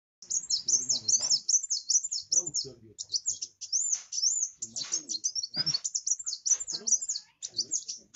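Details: Kolibri wulung (sunbird) singing vigorously, used to stir up less active birds: a thin, very high twittering run of rapid looping notes, dense and continuous, with brief gaps and low knocks and thuds underneath.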